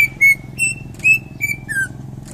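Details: Greater green leafbird from Indonesia, a champion singer, giving a string of short pure whistled notes that end on a lower slurred note, with a low hum behind.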